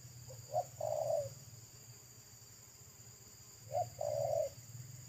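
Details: Spotted dove, wild local bird beside a road, singing in the pesom manner with a full, loud tone: two phrases, each of short clipped notes then a prolonged coo, with a low steady hum underneath.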